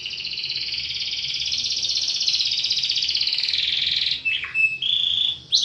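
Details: Canary delivering a long, continuous high rolling trill lasting about four seconds, followed by a few short whistled notes and a sharp dropping note.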